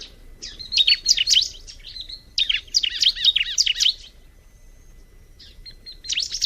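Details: Bar-winged prinia singing two energetic bursts of high, slurred, wavering chirps, each lasting over a second, then a short silence and a fresh outburst at the end.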